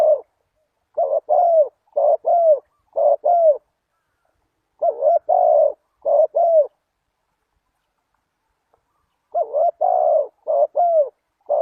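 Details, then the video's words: Repeated cooing of a spotted dove, used to lure wild doves: phrases of several paired, hollow coos, each phrase separated by a silence of one to three seconds, clean with no other sounds. "Chim cu gáy chiêu kích mồi tập bổi nhanh nổi hiệu quả"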